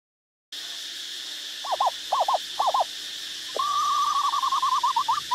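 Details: Asian barred owlet in Ubon Ratchathani province, Thailand: three quick warbled notes, then a fast bubbling trill of whistled notes, slightly rising, over a steady high insect drone.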